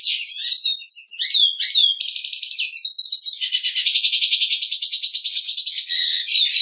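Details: Continuous black siskin song: slurred high whistles open into a steady buzzy trill, then a fast rattling twitter pulsing several times a second to the end.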